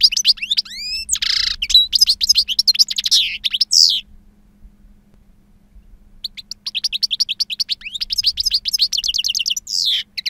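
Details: A two-year-old goldfinch of wild song type, known for potent timbre and long calls, pours out sweeping whistles, rapid twitters and a rasp, falls silent for about two seconds, then resumes with dense chattering trills.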